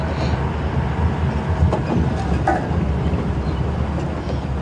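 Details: A heavy engine rumble from a moving vehicle, with brief rattles and knocks but no animal sounds.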